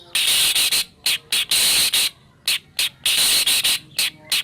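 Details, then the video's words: White-rumped shama, morning lure recording meant to get a pet shama singing, with a 'kretek' harsh style: harsh, hissing rasping bursts, mostly short and some longer, repeated in quick irregular succession with brief silences between. "PANCINGAN MURAI PAGI HARI GACOR FULL KRETEK CEPAT RESPON SUARA JERNIH"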